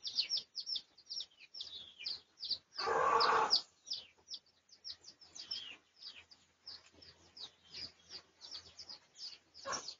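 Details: Red junglefowl of Pradu colour, research recording dated 18 August 2023; rapid high chirping and clucking notes repeat about three per second, broken by one loud rasping burst near the third second, with a faint low hum.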